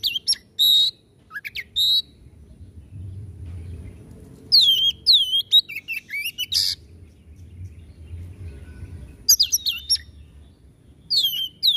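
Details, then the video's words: White-rumped shama giving a 'tembakan' song: short bursts of sharp whistled slurs and rasping notes, delivered in clusters separated by pauses of several seconds, with faint low background hum. "Suara Tembakan kacer Gacor"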